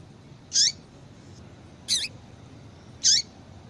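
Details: Female double-collared seedeater, calling to get males singing: three thin, high chirps spaced roughly a second apart, the middle one slightly softer and more buzzy, over low steady hiss.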